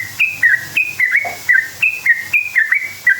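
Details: Sooty-headed bulbul lure song meant to make other bulbuls answer: clear ringing whistles in short rising and falling pairs, repeated about three times a second.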